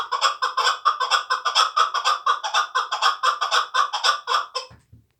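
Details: Hunting chukar partridge from Tojikobod district, two years old and hand-raised, repeating loud, regular chuck notes about twice a second. The series ends abruptly, followed by a couple of low thumps.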